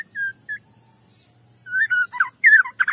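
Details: A white-rumped shama sings a provoking bait song to stir another shama into song. Two clear, level whistles come first, then a pause, then rapid varied phrases of slurred whistles and twisting notes, over a faint low hum.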